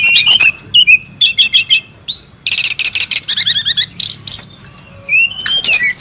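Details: Brown-chested jungle flycatcher noisy in the wild, recorded as lure and tutor sound: rapid pulsed trills and stuttering note series alternate with clear whistled slurs, repeated in short bursts.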